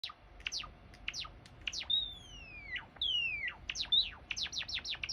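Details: Java sparrow song, played as a lure to prompt a quiet bird to sing: quick steep-falling chirps, then two long high whistles gliding downward, followed by a rapid run of sharp descending chips.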